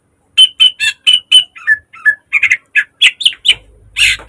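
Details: Green leafbird kept in a cage, singing a dense model song for training birds: a fast run of bright repeated whistles, then rougher chattering notes and a harsh burst with low hum behind.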